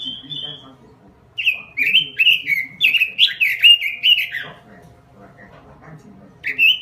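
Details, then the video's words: Robin with an energetic (gacor) song: a short high steady whistle, a three-second burst of fast warbled notes, a quiet stretch, then a single bright note. "SUARA BURUNG ROBIN GACOR"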